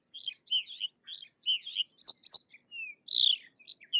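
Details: Sykes's lark singing short phrases of chirpy, warbled notes, then a clear descending whistle and a loud, drawn-out slurred note near the end.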